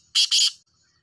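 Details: Black francolin (kala teetar) call: two loud, harsh, grating high bursts in quick succession, each about a fifth of a second, then silence.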